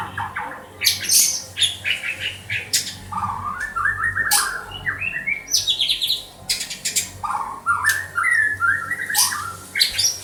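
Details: Kept white-rumped shama in Banda Aceh delivering a rich, varied song of descending whistled runs, sharp high clicks and chattering bursts, phrases repeating every few seconds over a steady low hum.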